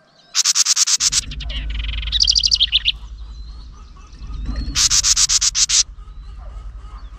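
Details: Nest-defending house wren agitated by a nearby GoPro camera: bursts of harsh buzzy chatter, then a brief higher twittering trill and another rasping scold series, with low rumbling handling noise underneath.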